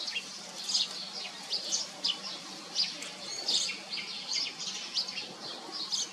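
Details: Common iora feeding its chicks; thin, high chirps and short squeaky notes come in quick, uneven bursts, about eighty per minute, over a faint low hum.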